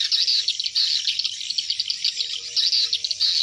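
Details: Hundreds of swiftlets entering their nests at dusk: a dense, continuous mass of high, thin chirps and twitters, with many birds calling over one another without pause.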